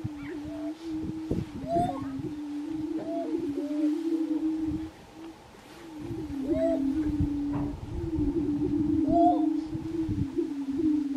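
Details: Grouse displaying at a spring lek in Colorado, 2023: a steady low hum holds throughout, with short rising whooping notes and upslurred hoots overlapping above it, a chorus of several birds calling.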